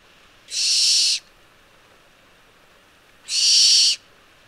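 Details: Barn owl (Tyto alba) giving two harsh, hissing screeches, each under a second long, about three seconds apart; nothing else is heard.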